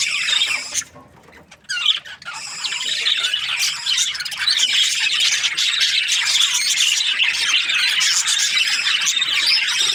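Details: Happy budgie chirping: a brief run of high chatter, a sudden quiet lull with faint notes, then loud, rapid scratchy chirps and squeaks resume and continue densely.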